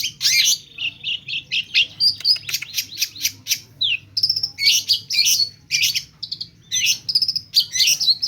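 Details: Long-tailed shrike, known locally as cendet or pentet, singing actively in full voice with mimicked phrases. Rapid bursts of harsh chattering notes alternate with clear whistled slurs and short buzzy trills, packed with almost no pauses.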